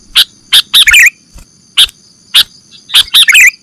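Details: Sooty-headed bulbul calls in a lure for catching birds: isolated sharp chirps separated by short gaps, two of them running into quick bubbly twitters.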